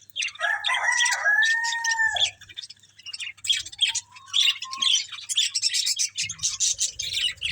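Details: Budgies eating green food: drawn-out whistled notes, one rising then level, then quick high chirping chatter, with soft low knocks near the end.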